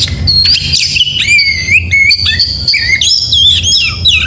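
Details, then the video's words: Morning gacor song from an oriental magpie-robin: bright, looping whistled phrases with rising and falling slurs, tightly strung together, over a soft low drone. "Suara Burung Kacer Di pagi hari GACOR MEWAH"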